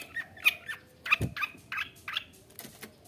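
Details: Long-tailed shrike in lively full song, used as a lure to rouse other shrikes to sing and fight: a run of harsh, scratchy, broadband notes in quick irregular bursts, with a low thump partway through.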